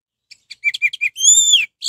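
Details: Lure song of an orange-headed thrush, used to provoke rival birds into singing: a few rapid clipped chirps followed by a long, bright, arching whistle.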